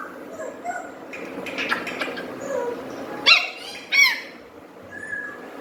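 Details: Indoors, a pet parrot just starting to whistle and pick up words makes two sharp, rising chirps about a second apart. They follow a stretch of soft rustling and faint murmuring.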